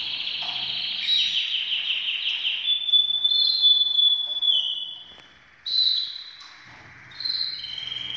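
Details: Canaries ready for breeding sing a loud sustained rolling trill for about four seconds, dipping in pitch, then short bright warbled phrases after brief pauses.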